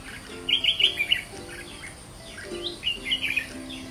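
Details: Red-whiskered bulbul, white-cheeked form, 'ché' singing: two quick runs of lively, slurred whistled notes separated by a short pause, with faint low music tones in the background.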